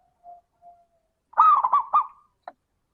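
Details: Zebra dove 'crystal' song meant to prompt other doves to sing: two soft low coos, then a single loud looping phrase of three or four quick bouncing notes.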